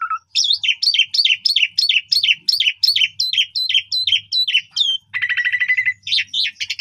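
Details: Vigorously singing Asian pied starling in an evening training recording for young birds: about fourteen near-identical whistled phrases repeated roughly every third of a second, each sliding downward, followed by a dense buzzy trill.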